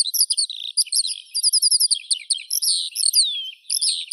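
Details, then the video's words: Skylark delivering a hurried cascade of small clipped notes and rapid trills, with one long down-slurred whistle near the end, pitch staying high throughout. "Skylark Birdsong"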